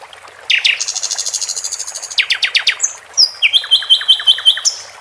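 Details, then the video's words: A flycatcher (sikatan londo) sings over trickling water: a bright, high song with a fast buzzy trill, then sharp descending notes and a rapid run of ringing whistles. "Sikatan Londo di Iringi gmricik air"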